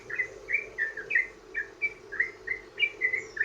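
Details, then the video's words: Trucukan or sooty-headed bulbul singing its long 'ropel' song to draw other bulbuls into song: rounded whistled chirps about three per second, evenly loud, with a low background drone. "trucukan ROPEL PANJANG buat pancingan burung trucukan agar bunyi"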